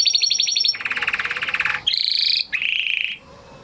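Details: Huppe Spanish Timbrado canary from a 2020 breeding, singing as a training song: metallic rattling trills, first high then lower, followed by buzzy sustained rolls before fading to quiet.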